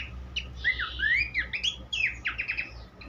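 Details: Horsfield's babbler song meant for teaching songbirds: long rising and falling whistled slurs leading into quick stuttering notes, over a steady low hum and background noise.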